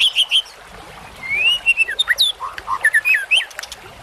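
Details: White-rumped shama singing in a masteran track for fighter birds: quick high whistled notes, a long rising whistle, then varied rapid chirps and downslurred whistles in a lively, fast-paced phrase against light background hiss.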